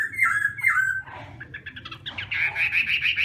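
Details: Chinese hwamei singing during morning contest training: strong slurred whistles at first, then a rough, scratchy chattering stretch, building into a fast trill of bright repeated notes, with a low rumbling hum throughout.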